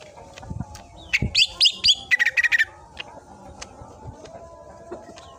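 A greater green leafbird fires off a quick burst of loud, sharp whistled notes over about a second and a half, then falls quiet. A low background hum continues throughout.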